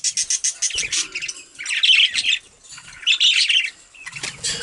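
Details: Budgerigars bathing together give short bursts of bright chirps and warbled notes, separated by rapid wing-flapping and splashing, in pulses about every second or so.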